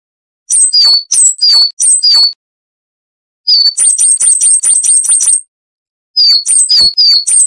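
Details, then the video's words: Training recording of coal tit song, wucit-wucit style: groups of high, thin notes stepping down in pitch, first in twos and threes, then a long fast string of rapid squeaky whistles, and a final burst after a pause. "Masteran Burung Gelatik Wucit Panjang Ngalas - Coal Tit"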